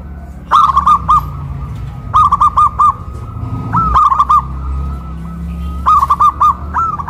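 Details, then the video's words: Hoisted caged zebra doves in Kuningan, West Java, in a loud duet between a big-voiced local bird and a crystal-voiced one. Bubbly coo phrases repeat every couple of seconds, each a quick string of clipped notes. "PERKUTUT LOKAL SUARA BESAR VS SUARA KRISTAL"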